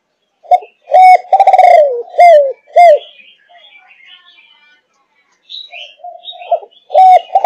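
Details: Spotted dove of Malaysian stock, a 5.5-month-old bird of the thúc gù cooing line. Low, hollow coos, several quick notes then a longer falling one and two short coos, a quiet pause, then more coos near the end.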